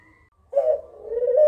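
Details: Kugeruk call used as a lure to draw answers from other birds: after half a second of near silence, a low, husky, drawn-out coo holds a steady pitch for about a second.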